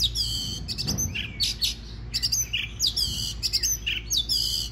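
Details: An Oriental magpie-robin delivers stimulating song to rouse other singers, with loud, fast sequences of piercing whistles, buzzy trills and clicks, closely packed with short gaps.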